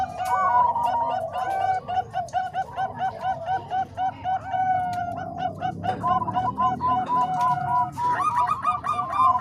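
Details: Zebra doves, Bangkok and Cemani Kolbuntet voices combined as a training song for other doves; many overlapping mellow cooing notes, rolling and repeated in quick series, with a busier burst of clustered coos near the end.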